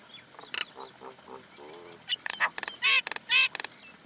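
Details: Common Indian myna giving low gurgling notes, then loud harsh rasping screeches and rapid clicks in a noisy, irregular sequence.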